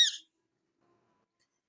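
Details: A pet green rose-ringed parakeet gives one short, harsh, high squawk, then silence; kept in the sun on a winter day before being taken out for a walk.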